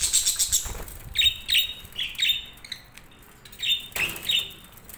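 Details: Budgerigars in a breeding colony chirping steadily: a run of short, bright, slightly buzzy high notes repeated several times a second in small bursts, with a brief pause midway.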